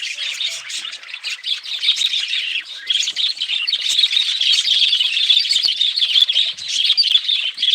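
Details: Budgerigars chattering nonstop as a flock: dense overlapping high chirps, squeaks and warbles merging into a continuous bright twitter with no pauses, brief louder squawks rising now and then.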